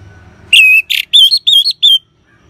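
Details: Single loud phrase of orange-headed thrush ngeban song, a lure for caged birds: a clear whistle, a noisy burst, then three wavering whistled notes, ending in silence.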